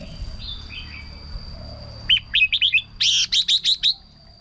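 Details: Red-whiskered bulbul sound for luring or exciting birds: a few soft whistles, then a clear series of about eight loud, evenly spaced chirpy notes over two seconds, the later ones brighter and harsher.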